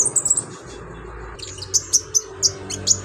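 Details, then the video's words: Olive-backed sunbird singing lively, full repertoire, suited as a training master song: a quick cluster of very high tinny chirps, then a quiet gap, then sharp high single notes spaced about every third of a second, over faint low noise. "BURUNG KONIN GACOR LINCAH BONGKAR ISIAN COCOK BUAT MASTERAN"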